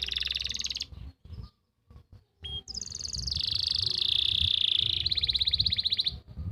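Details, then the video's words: Singing canary from Pati, Central Java, for training young birds: a trill, a broken stretch of faint clicks and brief whistles, then a long continuous high rattling trill with small pitch steps. "masteran untuk memancing burung kenari yang macet bunyi.."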